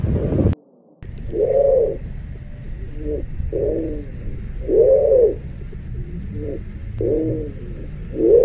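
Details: Pigeon cooing: low, arched, hollow coos repeated at uneven intervals, some soft and short, others full and swelling, after a brief burst of low rumble and a moment of silence at the start.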